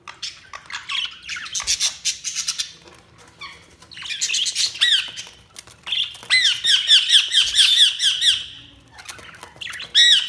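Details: Budgerigars chirping in fast chattering runs of bright harmonic squawks, building into a loud sustained burst of rapid repeated chirps before trailing off.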